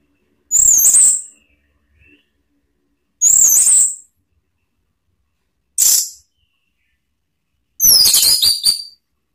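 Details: Orange-headed thrush, ngeplong lure song for provoking other birds: four separate very high, harsh, scratchy bursts spaced a couple of seconds apart, with silence between.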